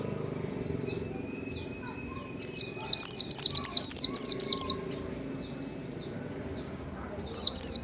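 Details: Oriental white-eye, also called pleci or kacamata, a small yellow-green songbird, singing high, rapid slurred notes in bursts of descending chirps, with brief pauses between runs.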